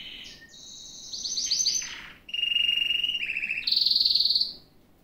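A Gloster canary sings a varied, high-pitched song of rapid trills and buzzy rolled tours, moving through several distinct phrases at different pitches.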